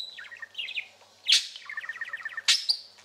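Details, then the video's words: Pet parakeet, a chatty male, trilling: rapid pulsed chirrups in short bursts broken by sharp high clicks and chips, the trills repeated about once a second. "Chatting and Trilling"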